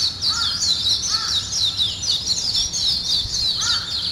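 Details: Early-morning bird chorus of high, busy chirps. Lower, downswept calls break in three times, near the start, after one second and near the end.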